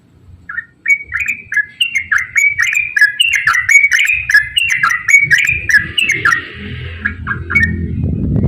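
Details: Yellow-vented bulbul in long, rapid 'ropel' song, used as a lure to make other bulbuls sing actively: a dense run of bubbly, warbled whistled notes tumbling up and down at a fast pace, with faint low rumble below.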